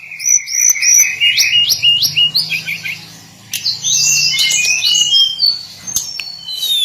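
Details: Hill blue flycatcher's daily song: a run of clear, high, rising whistled notes repeated in quick succession, then a brief pause and a burst of sweet, varied warbled phrases.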